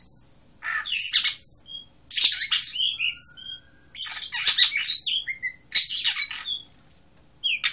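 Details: Blue rock thrush of Asia singing four scratchy, twittering phrases spaced a second or two apart, each ending with clear short whistles, over a faint low hum.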